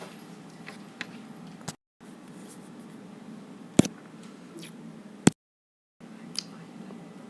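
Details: Only a low room hum with scattered clicks, taps and a couple of sharp snaps, broken by two brief silent gaps; no animal voice.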